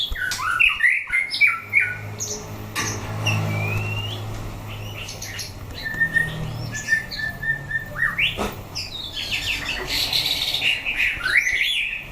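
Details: White-rumped shama tested for fighting spirit sings bursts of rich whistles, rising slurs and quick chatter, with a low background hum and brief quieter gaps.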